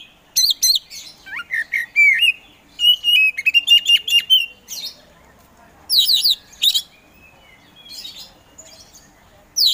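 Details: Oriental magpie-robin of the Kacer Poci type, a caged contest bird, singing loud varied phrases: sharp descending whistles, quick trills and chattering notes in bursts, with short quiet gaps between runs.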